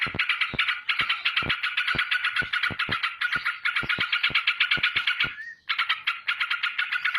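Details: Straw-headed bulbul singing fast in continuous 'ropel' style with wings flapping: an unbroken buzzy chatter of quick repeated notes, regular sharp clicks, and a short gap near the end before the rapid stream resumes.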